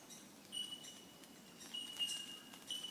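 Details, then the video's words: Bell miners on the Mount Coot-tha bell bird hiking track in Brisbane, Australia, give clear, ringing, bell-like notes, each held on a steady pitch and spaced a second or so apart, with fainter high chips behind. "Bell Birds Calls"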